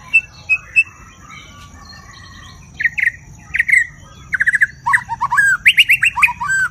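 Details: A White-rumped shama (Copsychus malabaricus) sings rich, varied whistled phrases. It starts with a few soft notes and builds into a rapid run of bright, fluty, rising and falling notes.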